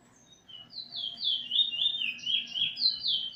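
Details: Eurasian bullfinch almost finished learning its song from a tutor, 13 August 2020. After a brief quiet start, a continuous ribbon of wavering whistled notes rises and falls, roughly four per second.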